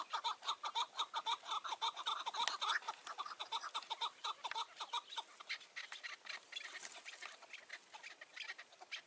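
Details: Mountain chukar partridge calling at evening in June 2018 while trapped birds are hunted with a decoy: rapid harsh clucks, nearly two per second, strongest early, then a looser, quieter series.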